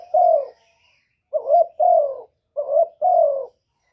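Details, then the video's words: A spotted dove used as a lure for other doves, singing in the kuk 1 style: the first coo ends after a pause, then two clear phrases follow, each a quick two-part note and a longer, smooth, downslurred coo. "Burung derkuku master gacor kuk 1 suara mantap untuk pancingan"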